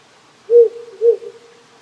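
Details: Wild owl hooting at night near a rural Japanese home on a cold evening with few insects or frogs calling. Two deep, even hoots spaced half a second apart against the quiet rushing of a nearby stream.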